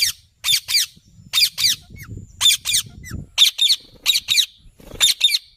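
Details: Repeated shrill squawks from a green parrot, mostly in doubled bursts about once a second, with faint low background rumble between them.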